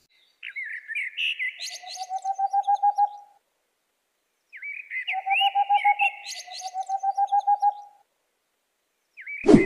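Boreal Owl: two rapid trills of hollow, low hoots, each about two seconds long and growing louder. Higher chattering notes come before each trill, and a sharp knock ends the clip.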